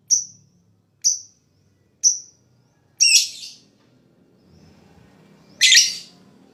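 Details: Lovebird sound played as therapy to get other lovebirds chattering: three evenly spaced sharp high chirps, then two louder, rougher, buzzy bursts separated by a quiet stretch.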